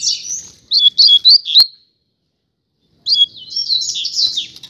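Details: Double-collared seedeater, one of a street-side pair, gives two bursts of fast, high, buzzy warbling song separated by a pause, with a single sharp click.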